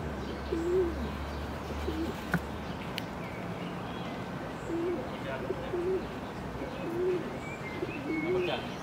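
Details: Feral pigeon on the castle plateau in Ljubljana, 10 June 2023, giving soft, low, bending coos in loose runs about once a second over a steady low rumble, with faint chirps from other birds.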